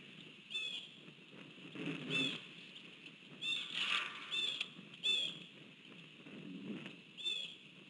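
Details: Bald eagles at a nest at John Bunker Sands, Seagoville, Texas, 3 December 2022 mid-afternoon: the female flew in screaming as the male delivered prey. Short, high, thin squealing notes every second or two over hiss and low rustling.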